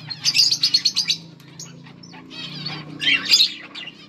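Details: Breeding budgerigar pair making mating calls, August 16, 2024: a run of about seven quick rhythmic chirps, a quieter gap with soft notes, then a bright burst of chatter, over a low hum.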